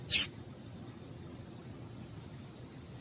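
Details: One short, shrill high chip from a female yellow-bellied seedeater, whose call excites males to sing, followed by quiet steady hiss.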